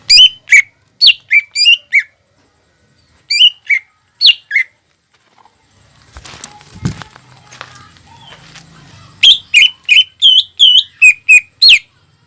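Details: Actively singing greater green leafbird, played to stimulate juvenile birds to sing sooner: runs of sharp whistled notes, then a pause with fluttering and handling noise, then a rapid string of about ten bright chirping whistles.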